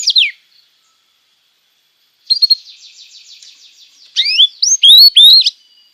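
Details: Canary master song for young canaries: a brief downward swoop, a pause, a soft fast buzzy trill, then several loud looping whistled sweeps rising and falling.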